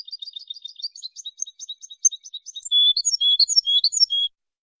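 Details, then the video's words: European goldfinch song for tutoring: a quick series of light, repeated twitters gives way to louder, fuller phrases of ringing chirps and short whistled notes before stopping abruptly. "أجمل تغريد لتلقين#الحسون"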